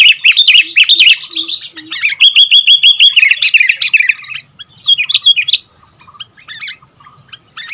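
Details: Sooty-headed bulbul (kutilang) in full lively song: dense runs of bubbly, chirping whistled notes packed tightly for about four seconds, then brief bursts and sparser notes, with a few soft low hoots near the start.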